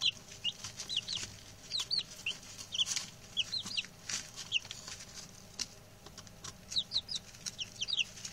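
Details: Chirpy newly arrived chicks, six males, utter short high peeps that fall in pitch, in loose groups with pauses, plus clicking and scuffling sounds underneath.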